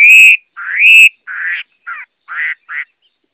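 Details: Loud drawn-out whistles from a Chinese hwamei, first a level note then a rising slur, followed by four shorter burry, buzzy phrases spaced about half a second apart.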